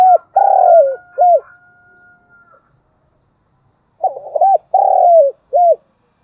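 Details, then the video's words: Spotted dove decoy bird cooing, recorded for training decoys to lure wild birds: two phrases of low hooting coos, a short note, a long drawn note and a clipped final coo, separated by a pause with a faint whistle. "Tiếng cu gáy mồi chuẩn Gáy Gọi"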